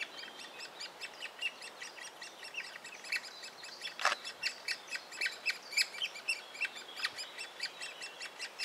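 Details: Young great spotted woodpecker being fed by a parent in a willow trunk in Biesummerbos woodland near Delfzijl, Netherlands: rapid, rasping high chirps repeated about three times a second in a steady chatter, with one sharp broadband knock midway.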